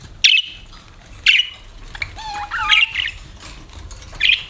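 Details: Budgerigars kept as pets give sharp squawky chirps about once a second, with a soft warbled whistle sliding up and down in between.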